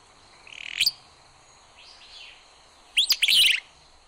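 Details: Willow Flycatcher (atrapamoscas saucero) singing: a buzzy, rising sneezy phrase, a soft slurred note, then a sharper burst of buzzy notes near the end, with quiet background.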